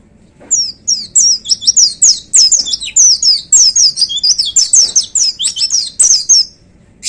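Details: White-eye in vigorous 'gacor' song: an unbroken, fast series of high, thin, downward-slurring whistles and twitters, several notes per second, sustained for about six seconds without pause.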